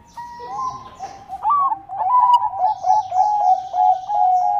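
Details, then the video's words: Zebra dove, Bangkok type, in constant song to prompt rivals to answer: rising and dipping coos that build into a close, rhythmic series of rolling notes. "Perkutut Bangkok Gacor Bikin Lawan Langsung Nyaut Bunyi"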